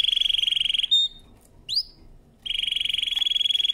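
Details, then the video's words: Canary singing a powerful song for training: a rapid rolling trill, a short break with a high whistled note and a rising slur, then the fast trill resumes. "CANARY SINGING POWERFUL SONG | CANARY SINGING FOR TRAINING"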